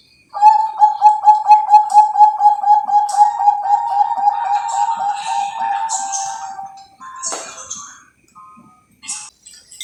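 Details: Bangkok-type zebra dove from an Indonesian breeding farm sings a long, rapid run of low, pulsing coos that starts loud and fades over about six seconds. A brief rough sound and faint high chirps follow.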